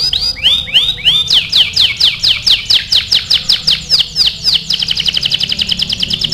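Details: Canary song meant for song training: arched swooping whistles giving way to rapid repeated descending notes, then a fast dense high trill in the closing seconds.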